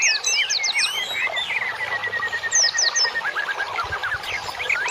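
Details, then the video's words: Birdsong used as masteran training for cage birds: crowded high chirps and downward-swept whistles, with a long even run of repeated short notes through the middle, then quick trilled phrases near the end. "MASTERAN INI BUAT TERAPI BURUNG"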